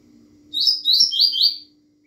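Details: Fast Bahiano song of a double-collared seedeater: one brisk phrase of four high, buzzy, falling notes run together in about a second, followed by quiet, with a faint steady low hum throughout.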